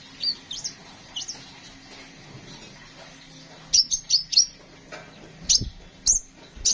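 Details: Van Hasselt's sunbird, kept songbird recorded as a tutor track for training other songbirds, giving thin, very high chirps and short upslurred notes, spaced irregularly in small clusters, over low background hum with soft thumps.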